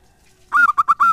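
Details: Lure song of a zebra dove meant to draw answers from other doves: after half a second of near silence, four loud coos come in quick succession, the first slightly longer and the notes steady in pitch.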